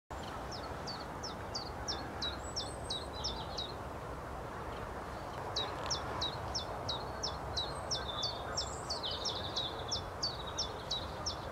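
A common chiffchaff repeats bright, high chip notes at an even, measured pace in two bursts, over a steady low rumble of background noise.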